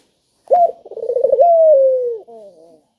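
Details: Spotted dove, a lure call meant to prompt quiet doves to sound off: a sharp opening note, a quick rolling stutter of pulses, then a long smooth falling coo and a soft fading tail.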